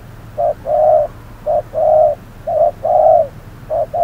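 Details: Decoy spotted dove calling during trapping in midday heat while a wild dove stays wary. Soft hooting pairs, a clipped note leading into a longer one, repeated rhythmically about every second.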